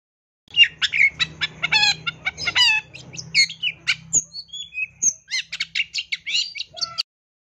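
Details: Masteran song of the long-tailed shrike, 'isian tembakan' style: a quick chattering series of sharp notes, then scattered clear whistles of different pitches and another rapid chattering run, over a low background hum.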